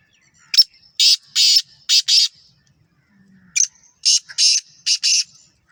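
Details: Black francolin from Sindh, Pakistan giving harsh, scratchy call phrases: a group of four rasping notes, a pause of about a second, then a similar grating phrase of five notes.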